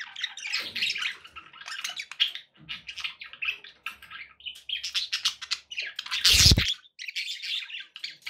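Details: Captive budgerigars warbling continuously with dense scratchy chatter and chirps, interrupted near the end by a short loud broadband thump.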